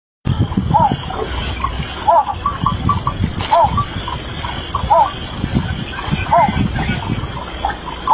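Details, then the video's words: A yellow bittern (Ixobrychus sinensis) gives short, hoarse mid-pitched notes, repeated steadily about every second and a half, over a heavy rumble of wind or water. "Yellow Bittern"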